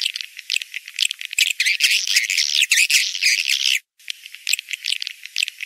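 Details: Lure recording of swiftlet mating calls for the rainy season: a busy stream of buzzy, high twitters and clicks. It stops abruptly in a brief silence, then resumes with scattered chirps.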